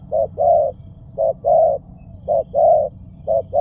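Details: Mellow, hollow cooing of a spotted dove in quick short-long pairs, the longer notes slightly stronger, repeated steadily over a soft low rumble.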